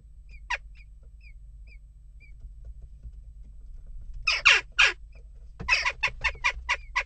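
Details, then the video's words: Unrest among western jackdaws at a nest box: faint soft notes at first, then a cluster of harsh calls and a rapid run of short chacking notes, with a constant low hum. "Onrust blijft door--kauwen"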